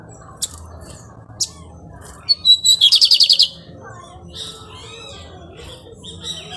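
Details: Pirata-type lined seedeater singing and nesting; a high whistled note leads into a quick buzzy trill of roughly eight pulses, with sporadic sharp clicks and a faint low hum around it.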